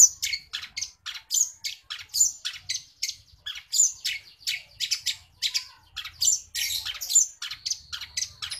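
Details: Long-tailed shrike singing with mimicry of house sparrow: dense, rapid run of chirpy, scratchy notes, many short bursts a second with bright high squeaks and sparrow-like chatter, continuous throughout.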